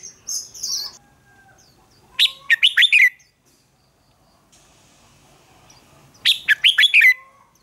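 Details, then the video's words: Red-whiskered bulbul in a singing contest delivering two loud phrases of rapid, tumbling whistled notes about four seconds apart, preceded by a short high buzzy note. "Chào mào đấu kích chim nhanh căng lửa | kích chào mào ức chế sổ giọng hót đấu sáng"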